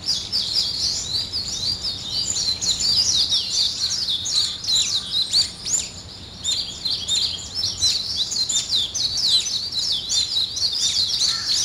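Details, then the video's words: A lively morning chorus of many birds, high thin chirps and fast trills tumbling over each other without pause, briefly easing midway before resuming. "아침을 깨우는 새소리 2 ,Birds wake up in the morning 2"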